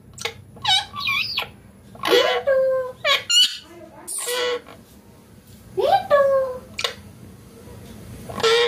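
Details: Green ringneck parakeet kept as a pet, talking clearly: rapid jumbled speech-like syllables with sliding tones and rough bursts, delivered in quick clusters inside a small room.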